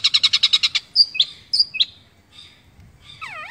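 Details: Long-tailed shrike (cendet) from an Indonesian songbird hobbyist, competition song material for tutoring other songbirds, mimicking birds such as sparrow, canary and lovebird; a fast burst of eight buzzy chattering notes, then sharp whistled slurs and a looping rising-falling note.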